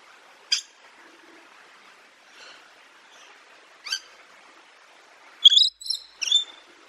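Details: Macaw giving a few short harsh squawks with a sharp rising start, scattered among brief chirps and long quiet gaps.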